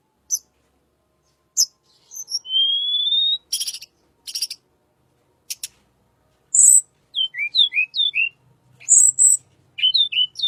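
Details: Wild blue flycatcher (tledekan) sounding in a calm, soothing style, used as a lure: scattered sharp high chirps, a long thin rising whistle, buzzy bursts, then quick downslurred whistled notes in twos and threes.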